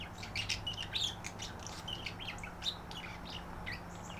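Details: Pet budgies, a female and a male, calling to each other while being put up for the night, courting. Quick series of high chirps and short whistled squeaks, densest in the first second, over a low hum.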